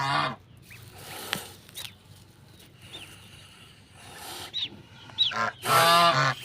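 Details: Domestic goose and goslings on a farm: a honk opens, then scattered thin high peeps from goslings amid some background rustling, ending in a long loud harsh honk.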